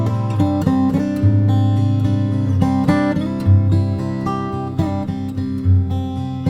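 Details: Strummed and plucked acoustic guitar plays throughout, with no animal sounds.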